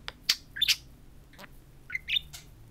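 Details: Two pet budgerigars talking to a mirror indoors; a few short, sharp chirps and squeaky notes come in scattered bursts with quiet gaps between them.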